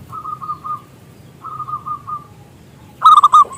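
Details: Zebra dove with a big voice, singing to lure other doves. Two soft, steady trains of short repeated coo notes, then a sudden loud, rolling burst near the end.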